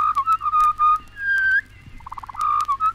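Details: Australian pied butcherbird song of pure, fluty whistles: a steady run of even notes, then a longer rising whistle, a quick stuttering burst of short notes, and a final sustained tone. A low background hum is also present.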